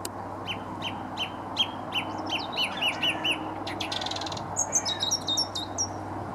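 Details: Song thrush singing by a towpath near Stoke Lock on the River Wey, Guildford: sharp notes repeated in rapid runs, a buzzy rattling phrase, then higher twittering figures repeated several times, over steady low background rumble.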